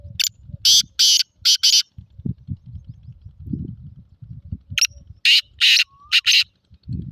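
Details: Sindhi kala teetar, the black francolin, calling in two harsh series of four to five rasping, scratchy notes each, separated by a pause filled with low rumbling and handling noise.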